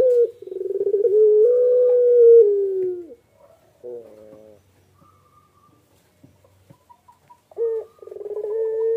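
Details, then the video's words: A Barbary dove incubating eggs gives a long, rolling, low coo that opens with a quick stutter and swells into a drawn-out purr. A shorter coo follows, and the phrase returns at the end. "PUTER PELUNG NGACOR"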